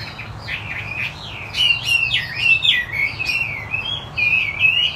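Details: Chinese hwamei of the wambi putih kind in gacor song: quiet opening notes, then loud, twisting whistles and rapid upward sweeps with clear looping phrases, a low hum in the background.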